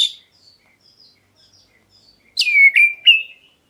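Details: Black-breasted oriental magpie-robin calling to provoke other birds into answering; after near silence with faint distant chirps, three loud notes follow, a sweeping downslur, then two short level whistles.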